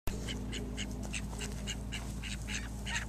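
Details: Call duck drakes: a mallard-looking male kept outside by another drake guarding his female; rapid, raspy quacking notes, several per second, over a steady low mechanical hum.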